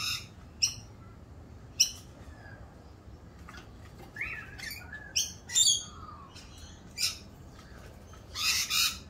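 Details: Rainbow lorikeets in mating season, doing their mating dance: sharp scattered shrill chips and short squeaky whistled notes spaced irregularly, ending in a harsher screechy burst, against a quiet background.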